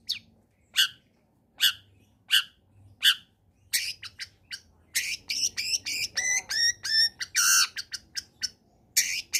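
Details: Combination song of a lively long-tailed shrike, used as a lure for lazy singers. Spaced single sharp chirps give way to a rapid, harsh chattering run of buzzy and rasping notes.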